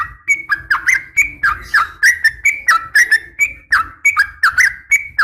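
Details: Uplik tarung call of a female sooty-headed bulbul urging males to reply. Steady, rhythmic two-part whistled phrases, a dip followed by a bright rising note, repeat continuously.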